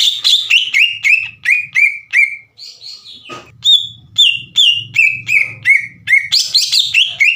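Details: Loud, active green leafbird whose song is meant to stir rival leafbirds to reply: strings of sharp descending whistles about two and a half per second, a brief pause, then another run, over a faint low hum.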